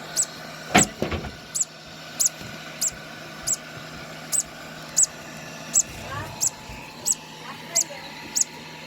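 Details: Two-day-old conure chick being hand-fed, giving sharp, very high, brief squeaks repeated about every half second, with a low thump and handling noises early on.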